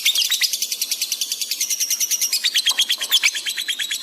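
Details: Lovebird singing hard, with fast response and heightened emotion, in a recording made to train pet birds: a continuous shrill chattering run of rapid buzzy high notes, about three per second, with no pauses.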